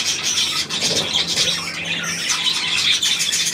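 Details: High-pitched budgerigar chatter, a steady mass of raspy chirrups and thin squeaks from several birds with no pauses.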